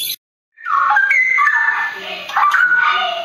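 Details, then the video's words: Straw-headed bulbul of forest origin in a rolling ropel song: loud, rich warbled phrases after a brief silence, dense slurred whistles climbing and falling in quick succession. "Cucak rawa cucak rowo suara mewah ropel hutan nggulung"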